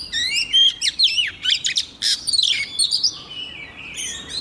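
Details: A female Oriental magpie-robin in full song to set the males singing: a dense run of loud sweet whistles, sharp slurred notes and scratchy chips, tapering into softer thin notes against a background hiss.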